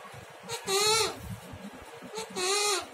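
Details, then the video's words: A pet talking parrot, in the morning around breakfast, says two drawn-out, nasal "maa" words about a second and a half apart, each rising then falling slightly, over faint low background noise with music. "Best Talking Parrot"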